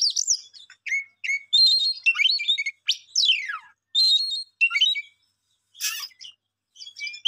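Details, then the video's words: Songbird giving sharp chirps and steeply downward-sweeping whistles separated by short silences, with a brief buzzy burst around the six-second mark. "Beautiful song bird"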